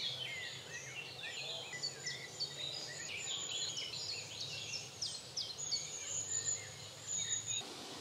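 A European robin gives thin, high tinkling notes in quick, varied runs, with a steady high insect-like whine and a low hum behind.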